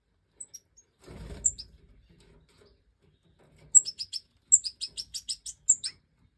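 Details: European goldfinch, Major form, in the 2024 breeding season: a few isolated chirps and a brief low rustle, then a quick regular series of high twittering notes.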